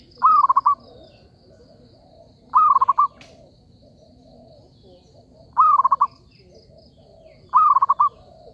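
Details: Trapping lure call of a zebra dove: four rapid rolling coo bursts, each about half a second, spaced two to three seconds apart, with a constant low hum and faint high twittering.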